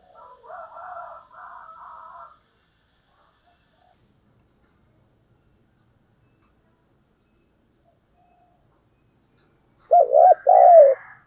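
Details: Spotted dove decoy bird giving 'thúc gù' cooing in the 'thổ đồng' voice: soft fluttering coos at first, a long silence, then a loud burst of three quick arched coos.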